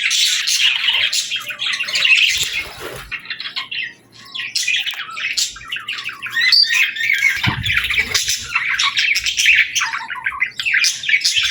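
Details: Singing and talking parakeets give varied chirps, bending squeaky whistles and chatter, with a brief near-silent pause around four seconds before the flock resumes.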